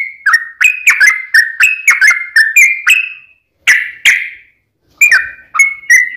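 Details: Provoking fighting song of a yellow-vented bulbul: a quick series of clear, slurred notes, two louder harsh notes after a pause, then a few more spaced clear notes.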